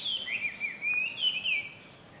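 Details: Short burst of Chinese hwamei song at Ikimono Fureai no Sato, 5 June 2020: rapid varied whistles and slurred notes, bright and melodious, running together without a break.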